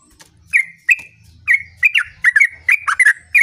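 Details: Sooty-headed bulbul singing in the gacor ngerol style: bright, clipped whistled notes near one pitch, delivered in quick irregular bursts that grow denser toward the end, over a faint low hum.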